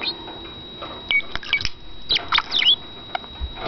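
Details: Caged male budgerigar kept as a pet, giving a short spell of soft chatter: a few high chirps and brief whistles clustered in the second half over a quiet room hum.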